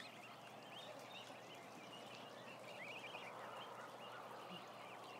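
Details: Ducklings, about a thousand of them, give scattered high peeps with a small burst of quick trilled cheeps midway, set against a broad hissing background and low hum.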